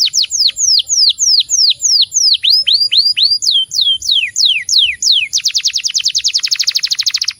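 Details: Loud canary song with prominent, clear rolls. Repeated high falling whistles, each about a third of a second long, speed up into a dense, fast trill near the end.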